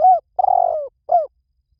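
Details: Single spotted dove phrase heard close: a short smooth coo, a longer vibrating rolled coo drifting downward, and a final brief falling coo, low and mellow against silence.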